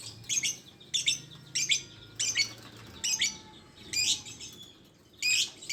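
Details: Lovebird calling with sharp, high, raspy squeaks, repeated in quick bursts roughly every second, and a low steady hum underneath.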